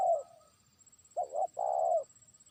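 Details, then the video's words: Spotted dove kept as a trained lure bird, calling out to a far-off rival. A fading coo, a pause, then two short notes and a long, level cooing note. "pikat terkukur) burung ajaran sudah mulai manggil lawan jauh"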